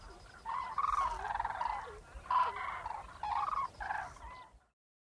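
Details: A flock of common cranes, winter visitors in Gujarat, India, gives loud, rolling trumpeted calls that overlap in a steady chorus for about four seconds, with faint background noise.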